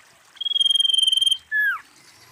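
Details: Female common iora, known locally as sirtu or cipoh, calling: a rapid, even trill on a high note for about a second, then a loud whistle that bends downward.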